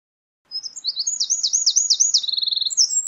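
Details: Eurasian wren song: high twittering notes running into a fast, rolling trill and then a rapid rattle, followed by more sharp chirps, loud and continuous.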